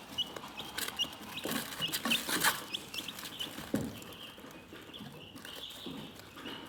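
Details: Chickens chirp softly in irregular high peeps, about three a second, while loud scratchy scuffing and pecking noises dominate the first half and quieten later.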